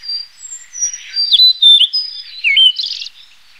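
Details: Blue-and-white flycatcher, a Northeast Asian breeder that winters in southern China, Taiwan and the Malay Peninsula: a flowing series of high sweet whistles, slurred down-and-up notes and a final buzzy flourish.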